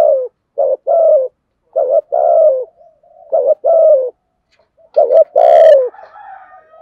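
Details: Non-stop spotted dove cooing in the 'thổ bầu' style to provoke wild birds: pairs of a short note and a longer falling coo repeat about every second, ending with a louder harsher coo and faint trailing tones.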